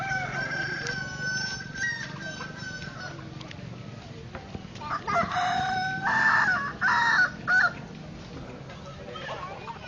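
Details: Kukuak Balenggek rooster competing in a staked-ground crowing contest in Solok; after faint distant crowing and low hum, a loud burst of four or five harsh, broad, stepped crow syllables rings out near the middle.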